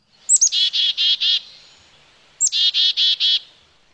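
Black-capped Chickadee giving its chickadee-dee call twice: a thin high note or two, then four harsh buzzy dee notes in quick even succession.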